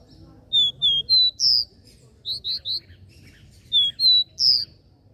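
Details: Capped seedeater, known as caboclinho, in its three-note regional 'Dó Ré Mi' song: three groups of bright, high whistled notes, three or four per group, each ending with a sharper, higher note, over soft low background noise.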